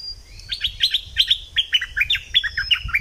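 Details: Thick-billed flowerpecker in a southern Thai lure recording: a rapid, rhythmic run of clear, high chirps, each dropping in pitch, continuing steadily for about two and a half seconds with little background noise.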